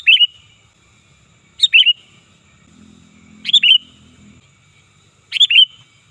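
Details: Sooty-headed bulbul used as a lure call: four strong, bubbly phrases roughly every two seconds, each starting with a high piercing note and tumbling into a rapid warbled ending; faint low hum between them.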